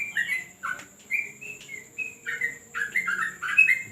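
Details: Yellow-vented bulbul on a terrace during training: spaced whistled notes, some clear and level, others swooping, building at the end into a quicker bubbling cluster over a soft steady hum.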